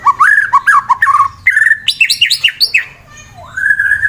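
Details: Caged white-rumped shama in Wonosobo, Central Java, Indonesia, a fighter bird whose song provokes rivals: a fast series of loud looping whistles, higher sharp notes, a brief pause, then a rising slurred whistle.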